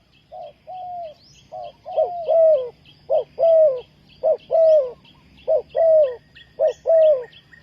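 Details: Spotted dove calling to lure wild doves for trapping: a steady series of low coos, each a short hoot then a longer falling note, repeated about once a second. Thin high chirps from small birds sound in the background.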